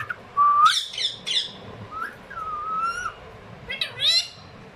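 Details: A pair of talking pet Rose-ringed (ringneck) parakeets chatter in raspy, speech-like bursts mixed with short whistled notes, one rising then holding steady, over faint room noise.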